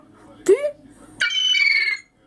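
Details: Hand-raised gull chick kept indoors in a city apartment over its first winter, calling to its owner: a short sharp squeak, then a drawn-out harmonic whining call lasting under a second, in a quiet room.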